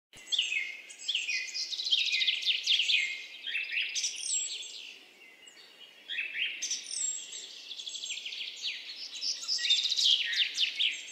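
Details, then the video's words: Himalayan goldfinch giving a lively run of high, tinkling twitters and buzzy trills, bursts of rapid notes with short pauses, sounding twice in about eleven seconds; faint background hiss. "himalayan goldfinch"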